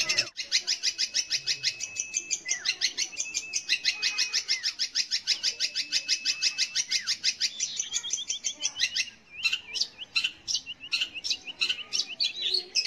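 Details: Long-tailed shrike singing to draw song from young or silent shrikes: a long continuous rapid rattle of high scratchy notes with a faint steady whistle underneath, breaking into looser chirps near the end.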